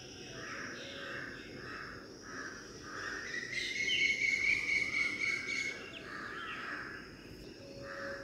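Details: A female black drongo visiting a garden birdbath on a wall near trees gives quick, harsh, repeated mid-pitched notes, with a brighter metallic stretch midway, over a steady high insect hiss.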